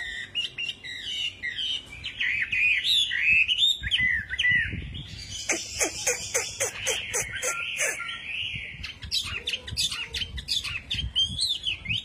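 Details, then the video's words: Wambi in vigorous song: high warbled, wavering phrases that give way to rapid sharp downstroke notes, then a rattling, buzzy close; faint voices underneath. "Burung wambi gacor - kicauan burung"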